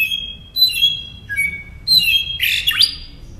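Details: Northern mockingbird song for caged-songbird training, mixing clear level whistles at different pitches with a harsh noisy burst and a sharp upward sweep near the end.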